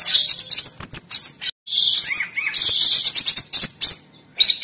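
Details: Master song of the Orange-bellied Leafbird, or cucak cungkok, for training cage birds: busy high twittering, buzzy bursts and a pair of rising whistled slurs, briefly broken by a cut of silence.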